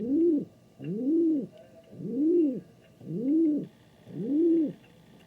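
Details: King pigeon cooing: five smooth, low, rising-then-falling tones, each about half a second long, repeated roughly once per second in a steady rhythm.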